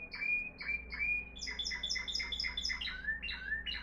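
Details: A Moroccan Timbrado canary, a discontinuous-style singer, gives quick, bright phrases: clear slurred whistles, then a fast run of rolling notes sliding lower toward the end; Belgian canary.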